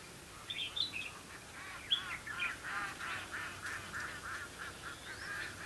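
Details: Red-whiskered bulbul recorded during trapping, with competitive singing: bursts of clear whistled and warbled notes early on, then a run of evenly spaced buzzy syllables repeated about five times a second, over steady background hiss.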